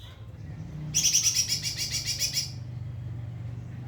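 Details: White-rumped shama song used to tutor other birds: one fast, high, rattling trill lasting about a second and a half, starting abruptly and stopping cleanly over a steady low hum.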